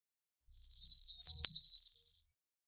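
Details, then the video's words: Single high cirl bunting trill, a very fast, almost buzzing run of notes held for nearly two seconds, with one brief click midway. "Cirl Bunting Singing"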